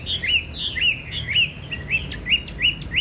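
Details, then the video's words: Loud-voiced tame Chinese hwamei, kept caged, yellow-legged and yellow-billed, repeats short upswept whistled notes in a fairly even series, about two or three each second, with faint higher overtones. "Chim thuần bộ to giọng hay, chân vàng mỏ vàng"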